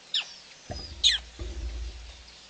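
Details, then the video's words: Female black crake at PP, 9/6/11, gives two sharp, high, squeaky notes about a second apart, with low thumps and rustling in between. "female black crake"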